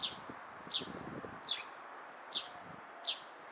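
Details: Sparrow in Japan giving short, bright chirps repeated roughly every three quarters of a second, each a quick downward-sliding note, over a steady hum of traffic and rustling.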